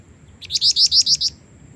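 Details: Female Black-winged Flycatcher-shrike, used as a lure for males, gives a quick run of six high, buzzy chirps in under a second over a faint steady hum.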